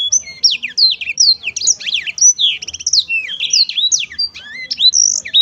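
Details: Black-throated canary in continuous lively song, a fast tumbling stream of high whistled slurs, upsweeps and brief trills with barely a pause.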